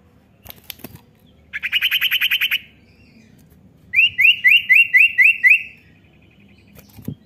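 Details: Common iora call played to prompt a young bird into singing: a fast buzzy trill of about ten notes, a pause, then about seven rising slurred whistles in quick, even succession, with clicks around them.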